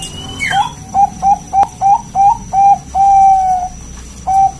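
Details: Champion Bangkok zebra dove song used as a training recording to draw replies. Seven quick, slightly rising coos come in a row, then a long drawn-out note and one more short coo. A faint high squeak sounds at the start.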